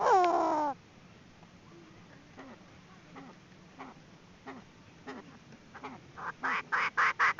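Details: Chinese francolin female used as a trapping decoy: one loud harsh squawk opens, then faint spaced clucks, building into a quick run of loud notes at the close.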